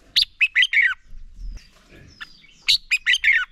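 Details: Red-whiskered bulbul song meant to stimulate other bulbuls to sing in training; two bursts of four quick, bright warbled notes each, separated by a quiet gap with faint softer notes.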